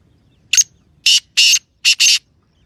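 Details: Sindhi titer, a francolin, gives one brief note and then four loud rasping bursts in quick succession, the final pair nearly merged, with little else audible.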